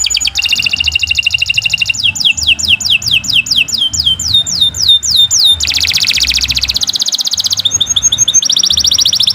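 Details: Long, unbroken canary song used as a singing lure: alternating fast buzzy trills and runs of steep falling whistles, loud and continuous throughout.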